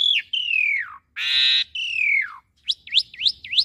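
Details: Asian pied starling song for youngsters to imitate: long descending whistles around a harsh buzzy burst, followed by four quick rising upslurred whistles.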